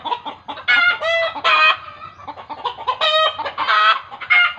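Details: Excited chickens, believed in village tradition to be reacting to a ghost, give harsh, nasal cackles in quick irregular bursts over a background of continuous clucking.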